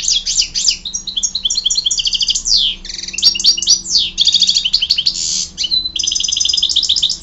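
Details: Goldfinch in full song, pouring out rapid liquid twitters, buzzy rattles and short rising slurs in a nonstop high-pitched stream, with a faint background hum.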